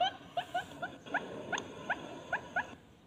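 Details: Barred Buttonquail call meant to attract both sexes: a handful of separate short upward-sweeping notes, loose and irregular in rhythm, fading to near quiet in the final half second.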